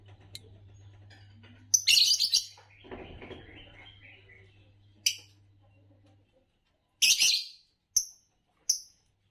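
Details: Green Fischer's lovebird producing several harsh high squeaky chirp bursts, some doubled, separated by pauses, with a low hum and a softer rustling sound in between.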